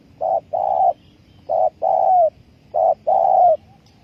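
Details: Spotted dove cooing, a call used as a lure for trapping: three phrases, each a short low coo followed by a longer coo ending in a slight slur, repeated about every 1.3 seconds over a faint low rumble.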